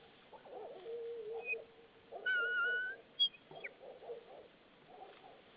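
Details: White-tailed eagle pair at their nest in Saunja, Estonia, on 22 March 2013 in the afternoon, one taking over a stick from the other; a drawn-out whistled note, then a sharp high yelp, amid soft rustling and scraping.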